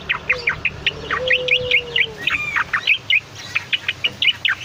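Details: Cucak Loreng, a bulbul kept as a cage bird, singing steadily for use as a training or lure recording: quick repeated clear chirping notes in bursts, some rising, with light background hum.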